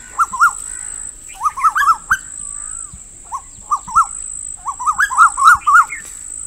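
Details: Female Asian koel giving rapid bursts of sharp, bubbling notes in tight clusters of three to six, with short pauses between bursts, over a steady high-pitched whine throughout.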